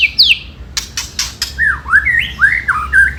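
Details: White-rumped shama ketrekan song meant to provoke rivals: a high slurred whistle, three loud dry clicks, then a quick series of short falling and rising whistled notes.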